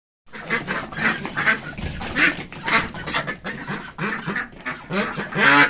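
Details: Several frightened white Pekin ducks, domestic ducks raised at home, quack loudly and nonstop with harsh, nasal, overlapping calls coming several times a second in an agitated chorus.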